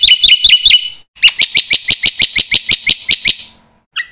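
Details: Black-winged myna master song, full of fill phrases, used to get young mynas singing. It opens with four ringing, whistled chips, pauses, then gives a steady series of about a dozen harsh, clipped notes, ending on a single short whistle.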